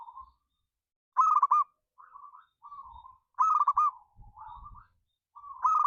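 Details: Local zebra dove played as a lure to excite singing: repeated loud trilled coo bursts, each followed by softer wavering notes, with faint low knocks between phrases.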